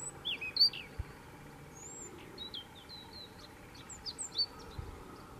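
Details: European robin of the Gran Canaria subspecies marionae in the island's midlands on 30 September 2017: thin, high, scattered sharp notes and short trills, fairly faint over steady background noise.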